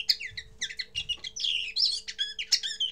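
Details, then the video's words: First singing of a common linnet, a fast jumble of bright twittered notes and brief buzzy trills in quick bursts with short pauses, a low constant hum beneath. "Первое пение коноплянки"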